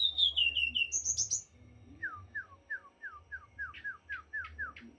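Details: Morae, or white-rumped shama, sings a cascade of bright, falling high whistles, then a rhythmic train of about ten lower, slurred chip-like whistles at an even, quick pace. A low hum is in the background.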